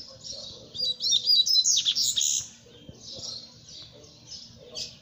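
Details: Singing double-collared seedeater: after soft opening notes comes a loud, dense, warbling twitter of quick high notes lasting over a second. It is followed by softer, evenly spaced chirps and a steady low hum.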